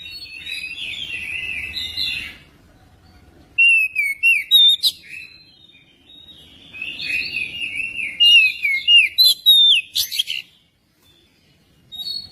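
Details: Magpie-robin singing, recorded as a lure to prompt other magpie-robins to sing. Two bursts of loud, rapid whistled notes, falling slurs and harsh chirps, separated by quieter warbling and short pauses.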